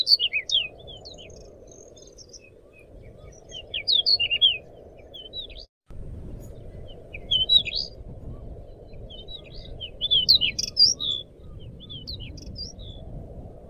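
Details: Pied bushchat (Saxicola caprata), song.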